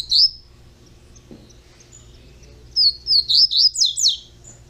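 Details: A young captive double-collared seedeater opens with one high whistle, falls silent, then runs off six quick descending-and-rising slurred notes in a rhythmic string.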